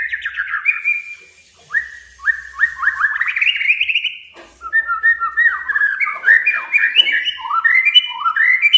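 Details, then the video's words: Male white-rumped shama in song meant to challenge and anger a rival, delivered as varied rich whistled phrases, stepped and rising, in long fluid strings with brief pauses. "Suara kicau Murai Batu Panggil Lawan agar EMOSI DAN KELUARKAN ISIAN!"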